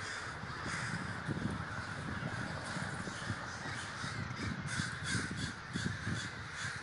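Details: Crowd of crows at a big communal gathering in Davis, California; overlapping coarse caws form an unbroken chorus, with heavier low-pitched rumbling, possibly wind or traffic, beneath the birds.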